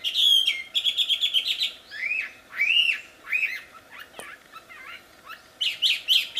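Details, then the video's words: Wambi singing in the wild, strong and melodious: a rapid trill of high chips, then slow arched whistles rising and falling, a quieter stretch, and a closing burst of quick sharp notes. "Suara merdu burung wambi di alam liar ternyata sangat merdu dan keras"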